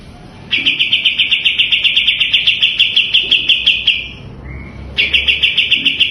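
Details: Sooty-headed bulbul recording used to coax lazy birds of its kind into singing, and to train magpie robins or greater green leafbirds. A steady, rapid, buzzy trill runs about three seconds, pauses briefly, then starts again.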